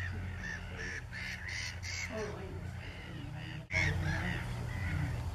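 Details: Grebe parents with young carrying fish, recorded 14 May 2016: harsh, nasal calls repeated several times a second in uneven bursts over a steady low rumble of wind or distant engine.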